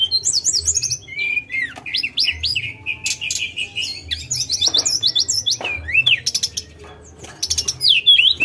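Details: Energetic lesser shortwing song of fast, jumbled high twitters and slurred whistled notes, delivered almost without pause, with brief quiet gaps.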